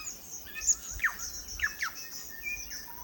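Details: Korimako, the New Zealand bellbird, singing in native forest: a few loud steeply falling whistled notes and a flat high tone, with a thin high-pitched hiss of other birds or insects behind.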